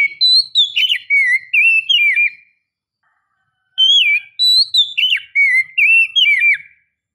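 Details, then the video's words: Oriental magpie-robin female calling to draw in a male. Two matching phrases of clear whistles: rising and falling slurs, then repeated upward-hooked notes, about two and a half seconds each, separated by a short pause. "Suara Gacor Kacer betina memancing jantan"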